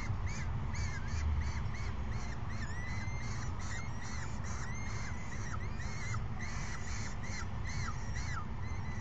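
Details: Peregrine falcon chicks screeching at an adult on May 29, 2022, just after noon; repeated harsh, rising-falling screeches overlap almost continuously, with a low rumble of background noise beneath.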